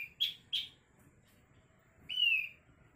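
Asian glossy starling giving two quick, sharp high chips, then a longer ringing whistle that slides gently downward, over faint background hum.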